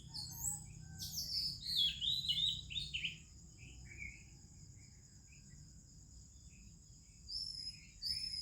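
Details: Morning song of an Oriental magpie-robin in India, with other birds present: three seconds of loud, tumbling whistled and slurred notes, then mostly quiet with faint distant chirps and a continuous high cricket drone.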